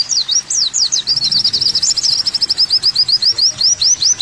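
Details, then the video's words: Olive-backed sunbird tutor song: high, sharp up-and-down notes at first, then a steady rapid string of thin rising chips that slows slightly toward the end. "MASTERAN BURUNG KOWUL KOLIBRI WULUNG ‼️AWAS PLEXI GACOR ‼️"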